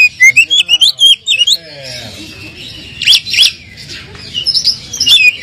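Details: Oriental magpie-robin song used as a lure to provoke a bird lacking fire into answering: bright, high whistled phrases with quick up-and-down slurs in bursts, a pause of soft hiss, then sharp clustered notes and a final whistled run.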